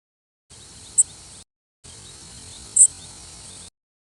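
Worm-eating Warbler flight calls: two very short, high, dry insect-like zips about two seconds apart, over a steady background hiss.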